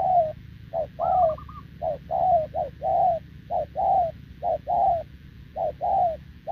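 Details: Continuous cooing from a wild-caught spotted dove kept with a decoy bird, 6 November 2024: soft mellow coos, a clipped note followed by a drawn-out one, about once per second, with one faint wavering whistle above.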